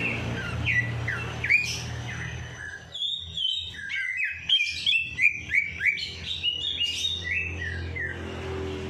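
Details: After a night bath, a bird bursts into long, lively song meant to spur lazy birds: rapid repeated chirps and looping whistles, several notes each second, with low hum at the start and end.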